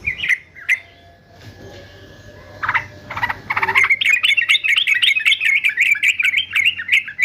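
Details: Male yellow-vented bulbul of the fighter type, kept for singing training, gives quick bubbly warbled phrases around mid-high pitch after a few scattered opening notes, the notes tumbling rapidly and unevenly.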